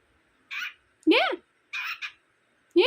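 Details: Cockatiel arguing with its owner: a sequence of short harsh chirps and an arching squawk, separated by brief silences.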